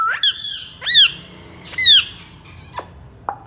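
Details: Talking Indian ringneck parrot utters three arched, rasping squawks about a second apart, followed by a couple of short sharp clicks.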